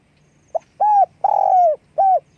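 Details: Spotted dove calling with wing flapping, one clear phrase: a brief pip, a mellow coo, a long coo that droops downward at its end, then a final shorter coo. Loud and close, with a faint low hum.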